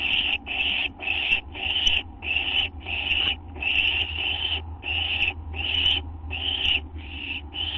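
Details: Owls in a nest just after midnight on 6 September 2011, around a food delivery: loud, harsh hissing screeches repeated rapidly, roughly two per second, with a low hum beneath.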